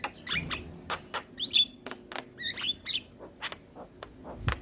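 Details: Starling tutor song for young birds that rarely sing: crisp clicks mixed with a few short, bright whistled notes and buzzy fragments at uneven intervals.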